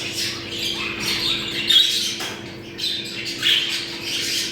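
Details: Budgerigar breeding-stimulation chatter: raspy warbling phrases broken by brief pauses, with a couple of thin whistled notes and a constant background hum.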